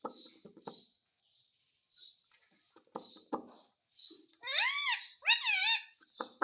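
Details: Parrot indoors, speaking Hindi words: soft breathy noises and clicks, then two loud arched voice-like harmonic phrases in quick succession around five seconds, ending in a short hiss.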